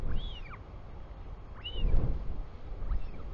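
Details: Chick of the royal albatross in New Zealand calling to its returning father, 24 July 2020, 4:06 pm: two clear arching squeaks and a faint third, with a surge of wind buffeting the microphone in between.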